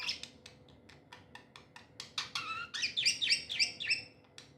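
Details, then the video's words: Happy pet budgies give a series of short clicky ticks, then break into quick, buzzy warbled chirps rising and falling, with a faint steady hum behind. "Happy budgies chirping sounds"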